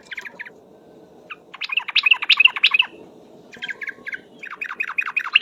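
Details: Lure recording of a lively yellow-vented bulbul: short bursts of rapid, bubbly chirps come and go, the loudest run in the middle, with brief pauses between phrases and a faint low background hum.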